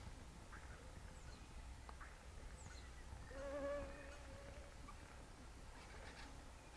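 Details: Black-headed gull (Chroicocephalus ridibundus) in breeding plumage, recorded very close, gives one harsh, nasal call lasting about a second, with fainter calls before and after over a steady low rumble.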